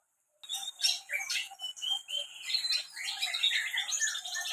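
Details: Indonesian canary from Central Java in a dense, rapid outpouring of high twittering, rolling trills and sharp chirps, starting after a short silence and running without a break.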